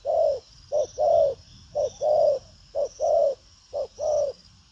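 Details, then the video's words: Spotted dove, a lively strong-cooing bird in the urging 'lèo' style: an opening long coo then four short-long pairs of soft, low hoots, evenly spaced about a second apart, over a faint steady high background tone. "Đồng pha chân cua cứng gù| Nết chơi lăng xăng, thúc gù có lèo"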